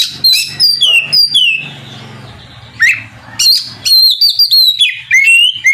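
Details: Loud, full-voiced kacer song used to stir a rival magpie-robin to reply: sliding whistled notes, a brief pause, then quick bright whistles and squeaky bursts over faint humming.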